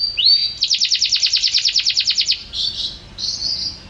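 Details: A canary, recorded without editing, opens with a rising slur, then delivers a fast, even trill of high chopped notes lasting nearly two seconds, followed by softer buzzy warbling phrases.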